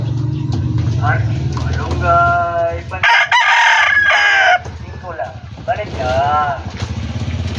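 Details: Backyard poultry with hen and rooster: a loud, strained rooster crow stretches over more than a second, flanked by quieter clucking and wavering hen calls, with a low engine-like hum underneath.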